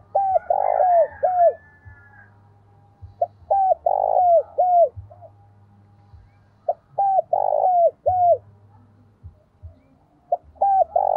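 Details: Spotted dove used as a decoy, calling to provoke rival doves, in the 'giọng thổ' voice. Phrases of soft coos repeat every few seconds, each with a louder rounded middle note and downward-curving tail notes, over a low steady hum.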